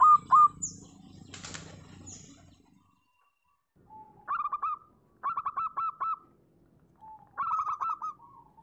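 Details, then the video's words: Perkutut, the local zebra dove, heard after a noisy rustling opening: three separate phrases, each a short low lead-in note followed by a rapid string of bright staccato coos. "Suara asli perkutut lokal."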